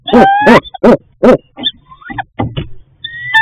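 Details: At the nest at night, a female barred owl begs for food from her mate: a few quick loud hooting barks followed by thin, rising whining calls and softer scraps of sound.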